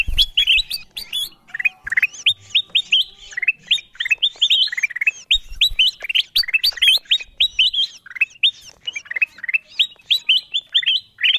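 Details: Bulbul known locally as kutilang emas, recorded as a lure to bring wild birds in: long, busy chatter of sharp upslurred chirps repeated rapidly over and over, with occasional low knocks.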